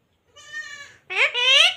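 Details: Parrot talking and said to say "papa": a steady, flat, nasal tone lasting about half a second, then a short gap and a louder, rising and falling, harsh speech-like phrase.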